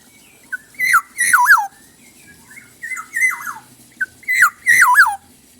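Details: Black-naped oriole singing actively with a rich, varied song: mellow, fluty whistled phrases that swoop down in zigzag notes, given in three bursts about two seconds apart, with a faint low hum in the background.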